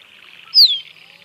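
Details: A single sharp, high whistle that slurs downward, from a musk duck, over a buzzing chorus of insects or frogs.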